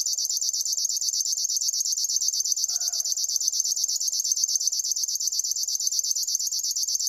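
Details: River warbler singing: a continuous, dry, insect-like buzz made of rapid, evenly spaced high pulses, steady and unbroken throughout, with a faint lower call note briefly in the background.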